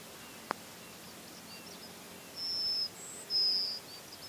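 A Yellowhammer gives two thin, drawn-out high notes, each about half a second long, over a quiet outdoor hiss with one brief click.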